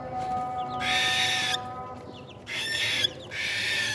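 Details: Young cockatiels at feeding time give loud raspy, breathy bursts, one long and another after a brief gap, with faint chirpy squeaks inside the noise and a soft tonal drone between bursts.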